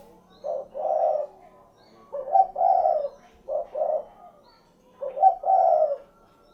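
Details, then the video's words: Spotted dove, known as derkuku, giving low mellow coos in three rounds, each a short knock followed by a longer rolling note, with clean quiet gaps between the rounds. "SUARA BURUNG DERKUKU / CUKURUKUK KUK GERUK"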